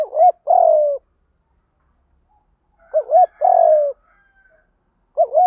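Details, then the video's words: Field-style fighting coo of a spotted dove used to lure wild doves: a wavering two-part note runs into a long descending hoot, repeated after a two-second pause, with faint higher twittering in the background. "Chim cu gáy giọng đồng gù đấu liên tục"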